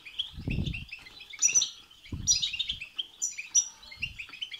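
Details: Goldfinch singing batbata and satsata phrases, used to stimulate a goldfinch to sing: fast liquid twitters and bright high chirps, broken by three dull low knocks like wingbeats or cage movement.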